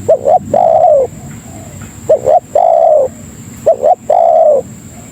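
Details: Spotted dove (tekukur) lure call meant to summon other doves: a low coo phrase of two short quick notes followed by one long, drawn-out coo, repeated about every two seconds, with a faint steady high whine in the background.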